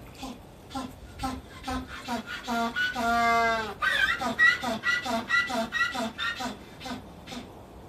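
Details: Two captive African penguins, a bonded pair at Kakegawa Kachoen, Shizuoka, Japan, bray to each other: hoarse, donkey-like honks about twice a second swell into one long note, then quick honking resumes.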